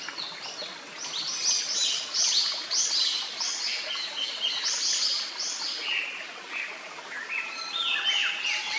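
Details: Japanese paradise flycatcher near its nest in a quiet forest with a clear stream; high, rapid slurred whistles overlap in a dense, busy series over a constant wash of water noise.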